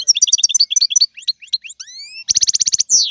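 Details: European goldfinch song: rapid paired chirps, a few thin rising whistles, then a fast rattling trill ending in a harsh buzz.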